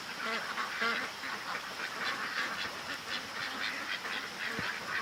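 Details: In the early-morning rain, around 4 o'clock on September 8, domestic ducks keep up a chorus of nasal quacks, a few of them clearer and harmonic. Steady rain hiss fills the background, and one low thump is heard near the end.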